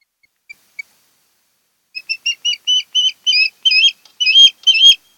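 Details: Osprey pair at their nest on Kent Island, Maryland, captured by a nest camera on 10 August 2018. Two faint whistled notes come first, then a run of about nine sharp, slurred whistled cheeps that grow louder and faster.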